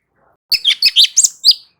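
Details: Short loud phrase of light-vented bulbul song, played as training audio to get other birds responding: five or six quick, bright, slurred whistled notes run together in under one and a half seconds.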